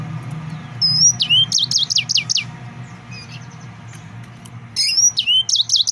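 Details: Excited male yellow-fronted canary, a Mozambique songbird, singing loud repeated high whistled notes that sweep downward in fast rhythmic phrases, with pauses between bursts and a low steady hum beneath.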